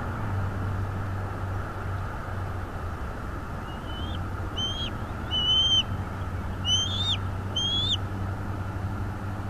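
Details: Bald eagle at its nest in North East Florida, filmed by a nest camera on 22 February 2022 at 08:30. After a few seconds come about six thin, high, whistled piping notes, some in quick pairs, over a steady low rumble.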